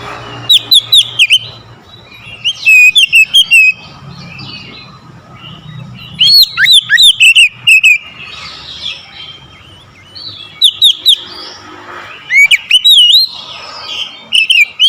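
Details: Oriental magpie-robin singing aggressively, provoked to challenge a rival: bursts of loud, clear whistled notes with sweeping slurs and rapid chattering phrases, repeated in clusters every few seconds, with quieter background hum between bursts.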